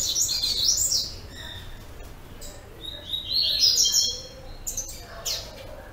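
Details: A double-collared seedeater, recorded 10 April 2014, sings bursts of high, rapid twittering and warbled phrases, pausing briefly between runs, over a faint background hiss.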